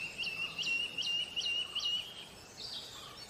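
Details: White-collared Manakin in Bogor giving a quick series of six high, thin notes, each flicking upward, about three per second, then a higher slurred note over faint background hiss.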